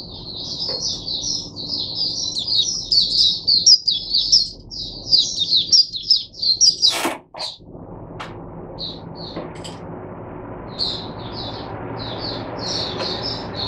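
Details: Teacher oriental white-eye singing for other caged white-eyes on 22 January 2022: about seven seconds of rapid high twittering, a sharp knock, then sparse chirps and short twitter phrases.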